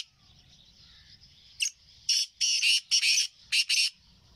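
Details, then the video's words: Black francolin (kala teetar) recorded on 20 April 2024: a quick run of rasping, buzzy, high notes in short paired bursts, with low background rumble between them. "kala teetar ki awaz shruti teetar Ki awaz black teetar ki awaz"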